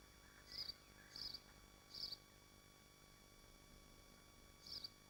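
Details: Swifts nesting in Machynlleth, Dyfi Biosphere: three quick shrill buzzy calls in the first two seconds, then a pause and one more scream, over a soft steady hum.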